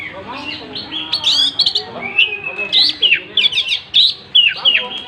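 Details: Oriental magpie-robin singing actively while spreading its tail: varied clear whistled phrases, rising and falling slurs and sharp chirps in quick bursts with short pauses.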